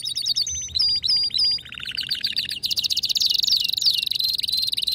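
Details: Excited male canary singing: a string of high slurred notes repeated several times, then a lower rapid trill, ending in a fast, buzzy high-pitched roll.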